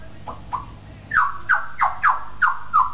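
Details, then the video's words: Talking African grey parrot at a pet shop in Beit Hanina, Palestine, repeating short harsh falling squawks, about six in quick steady rhythm, over low indoor hum. "the talking African Grey"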